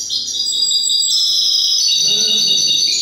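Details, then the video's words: Goldfinch hybrid from silvestrismo bird keeping pouring out a continuous high, shimmering trilled song with rapid chiming notes, and a faint murmur underneath in the latter part. "MIXTO JILGUERO"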